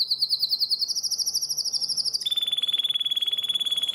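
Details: Bird song used as a master recording for training contest birds: a fast, high trill of rapidly repeated notes, slowly rising in pitch, then an abrupt switch to a steady, buzzy, pulsing high note.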